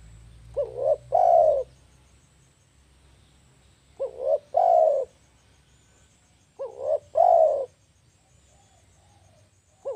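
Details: Spotted dove call used as a lure for trapping birds: three-part coos, two short rising notes then a longer drawn-out coo, repeated about every three seconds; faint low hum beneath.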